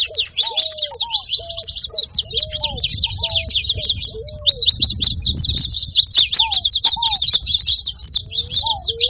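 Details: Saffron finches calling noisily, a thick wall of high, scratchy chirps from many birds, with low, bent whistles in quick pairs early on and again near the end.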